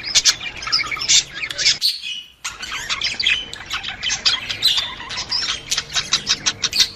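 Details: Budgerigar breeding-stimulation chatter: harsh squawks and rapid chirping warble, briefly cut to silence early on, then resuming as a dense, regular stream of clicky squeaks.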